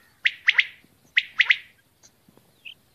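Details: Common quail, a female, gives two crisp triple-note phrases of short, bright, clipped notes less than a second apart, then a single faint high pip in otherwise quiet surroundings.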